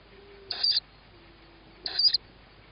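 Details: Tawny owl owlet begging as it hears its mother arrive with food, on 21 May 2017 at 21:38, with a sibling on a roof; two short, harsh, high hissing screeches about 1.3 seconds apart over quiet background.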